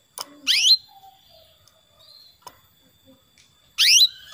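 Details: Female canary summoning a male, played to stimulate male singing: a loud rising high call near the start and another about three seconds later. Faint clicks and soft twittering lie between them.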